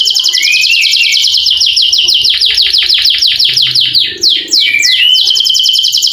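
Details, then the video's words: Lively canary singing with long rolls, played to encourage reluctant canaries to sing; a continuous high buzzing trill gives way to quick falling sweeps in steady succession, then short rising whistles and a return to rapid rattling. "KENARI GACOR NGEROL PANJANG COCOK UNTUK PANCINGAN BUNYI BURUNG KENARI YANG MALAS BUNYI"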